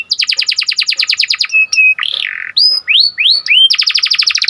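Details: Panda canary in vigorous song, used to arouse other canaries: fast pulsing trill, short flat whistles, a wavering buzzy slur, upward-sweeping whistled notes, then another rapid trill.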